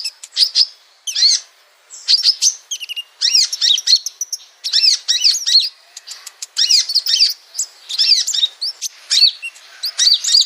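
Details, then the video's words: Sunbird singing as a training recording for other birds: lively high-pitched twittering phrases of quick looping chirps and sharp notes, delivered in bursts separated by brief gaps, with no other sounds. "masteran burung Kolibri sogok ontong"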